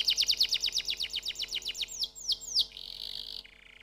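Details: Canary song: a fast run of high, sharply descending notes slows into a few louder swoops. It ends on a buzzy sustained tone, then a softer lower buzz.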